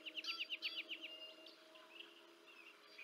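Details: Bald eagle at the Decorah North nest, 30 March 2024, feeding two chicks. A quick run of about eight high, sharp chirping notes fills the first second, then thin scattered peeps follow over a steady low hum.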